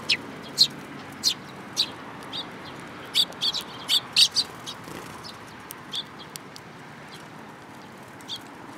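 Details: Sparrows at a Tenmangu shrine, 7 July 2022, coming to feed from a hand; a lively series of short, sharp chirps, fast at first, then sparser and fainter toward the end.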